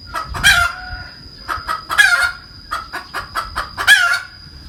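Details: Hen cackling in repeated cycles of quick clucks, each run building to a loud, harsh, drawn-out squawk, three squawks within about four seconds, over a steady high tone.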